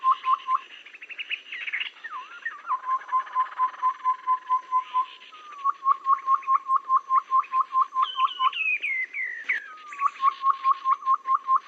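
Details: Babbler sounds used as a trapping lure in any season: runs of short, evenly spaced notes repeated quickly, broken by buzzy trills and descending whistled phrases, with layered chatter throughout.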